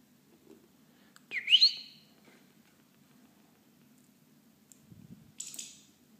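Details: Pet European goldfinch kept indoors, pecking at its owner and eating lettuce, gives a single sharp call that sweeps steeply upward, followed later by a brief burst of high rustling or pecking noise in a quiet room.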